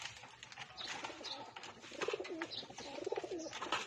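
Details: Pigeons being fed, giving two low throbbing coos about a second apart, set against constant clattering of wings, feet and pecking.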